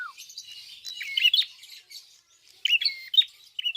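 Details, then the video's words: Red-headed prinia (klawu) in full song: fast, shrill chirping and buzzy trilled notes packed closely together in quick bursts. "BUKA PARUH FULL GACOR BURUNG PRENJAK KEPALA MERAH/KLAWU"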